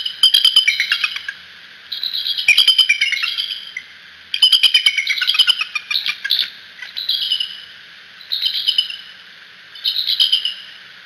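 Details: Bald eagle parents on their Decorah nest, on nest cam, call repeatedly: about six bouts of high, squealing, chittering notes over eleven seconds, each bout lasting a second or more, with gaps of roughly two seconds.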